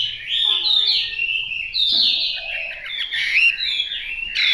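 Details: A fighting hwamei rehearsing its song delivers rich, warbling whistles that rise and fall in long flowing phrases, broken by a short pause, with faint low tones beneath.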